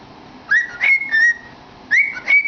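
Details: Pet cockatiel singing with its head in a cardboard tube; clear whistled notes rising then holding steady, in two short phrases of three notes each separated by a brief pause.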